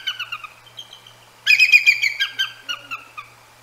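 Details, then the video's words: Nesting pair of Bald Eagles at the Decorah North nest around 10 p.m. on a January night, waking to scold two hooting Great Horned Owls; rapid, high squeaky chittering notes, a softer run then a loud burst that trails off, over a faint low hum. "Eagles Vocalize at GHOs"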